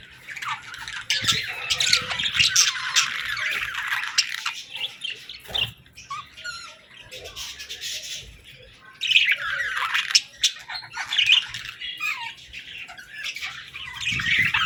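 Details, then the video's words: Playful young budgerigars chirping and mimicking sounds: raspy warbling chatter rising and falling in bursts, with short quiet stretches and scattered clicks between the louder passages. "Baby Budgies Playing & Talking 🐣🎶 | Fun Chirping Sounds to Brighten Your Mood"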